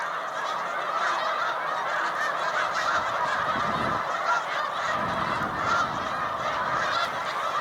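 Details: Migrating Snow Geese resting in large flocks on Cayuga Lake, New York, 20 March 2021, spring: a dense mass of honking calls throughout, with a brief low rumble of wind or handling noise partway through.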